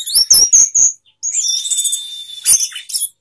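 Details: Sapu jagat singing by an orange-headed thrush opening its tail: four quick ringing chirps, a pause, then a sustained thin whistle under busy high twittering, ending in sharp notes.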